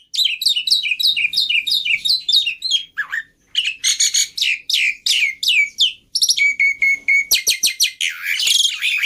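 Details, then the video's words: Black-winged myna song used to lure and tutor other birds: rapid series of bright, repeated downslurred chirps, a brief lower dip, then dense harsh chatter and a run of steady whistled notes before loud buzzy bursts. "Pancingan Plus Masteran Burung Jalak Putih full Isian Mudah Di Tiru"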